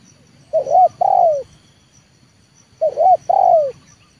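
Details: Trained decoy spotted dove of the leopard type, calling to lure wild doves down into the yard: two phrases about two seconds apart, each a quick doubled coo followed by a longer, falling, hoarse coo, over a low background hum.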